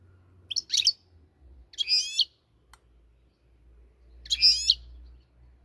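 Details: Moroccan goldfinch (European goldfinch) giving three short, separate bursts of high, twittery, slurred notes about two seconds apart, over a faint low hum.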